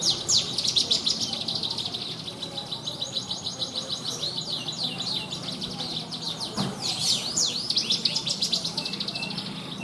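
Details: Caged Javan bushlark with a rich mimicry 'isian' filling, suited to bird-song contests, pouring out a dense run of high, rapid twittering notes, sweeping slurs near the end, barely a break, faint low background hum.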